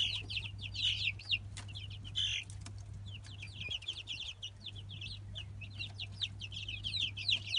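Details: Light Brahma chicks, three weeks old and hatched in 2017, peeping in quick high downslurred notes, bursts thinning and resuming, with a few brief clicks and a steady low hum underneath.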